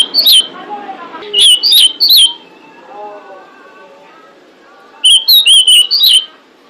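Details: Female pied bushchat calling to lure males, used as a bait sound for birds. The clip opens with a whistled note, then a run of three notes, then a five-note whistled burst after a long pause with faint warbling.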